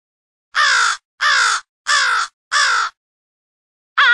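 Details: Crows from two separate groups calling to gather early in the morning, assembled in a studio: four drawn-out, raspy caws spaced about two-thirds of a second apart, then a pause and the start of another.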